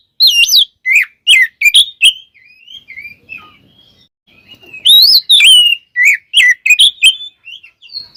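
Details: Oriental magpie-robin (kacer) full song used as a provoking lure: rapid series of bright whistled and warbling notes, a softer murmuring stretch in the middle, then another burst of loud varied phrases.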